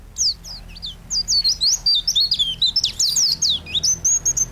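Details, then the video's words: Lively white-eye song recorded as a master for training cage songbirds: a brief pause, then a dense string of high, twisting, slurred chirps that rise and fall quickly, ending in a steady thin whistled note. "Burung pleci gacor untuk masteran burung"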